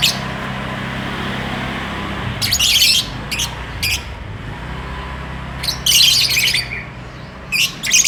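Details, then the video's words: Lovebird calling while courting and wanting to mate: harsh, high, scratchy chirp bursts in short clusters, about seven bursts over eight seconds with quiet gaps, over a steady low hum. "Burung lovebird bercumbu"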